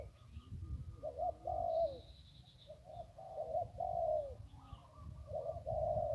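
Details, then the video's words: Wild zebra dove by the Ping River, sought at ponds, singing a pleasing song: soft, mid-pitched rolling coos with quick trilled bursts, phrases repeating every two seconds or so, low rumbling background. "นกคูอ่างเจ้าเสน่ห์ริมปิง ได้นกโล่ง 1กุกขันเพราะๆ"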